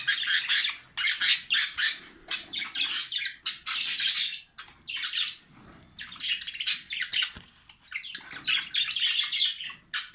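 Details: Male jumbo budgerigar courting a female right after the pair were put together indoors; dense, rapid chattering warble of scratchy high chirps and squawks in bursts, with brief pauses.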